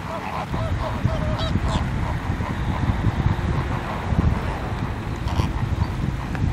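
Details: Flamingo flock at Larnaca Salt Lake on Christmas Eve: a quick run of nasal honks in the first two seconds, then scattered fainter honks amid gusty wind and low background rumble.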